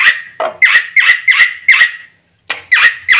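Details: Black-winged myna (white starling) in a training recording that stimulates birds to sing. Harsh, squealing notes repeat roughly every third of a second in a steady series, broken by a short pause.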